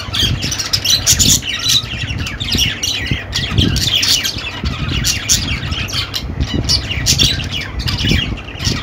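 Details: Steady budgerigar chatter, a jumble of fast high chirps and buzzy squawks with a low rumbling noise beneath.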